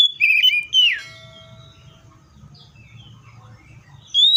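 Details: A Seychelles magpie-robin gives a short bright whistled phrase that ends in a sharp downward slide, then goes quiet under a faint low hum before a new rising whistle begins.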